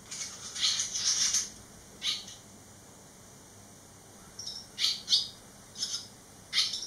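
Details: Barn swallow fledglings eleven days out of the nest, three chicks returned: bursts of rapid high chirps, a dense twittering run at the start, then scattered sharp calls after a quiet gap, over a low steady hum.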